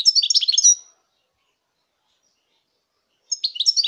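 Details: Song of a European goldfinch from 2019, a quick liquid twittering phrase followed by a long pause and the start of another bright, jangling burst.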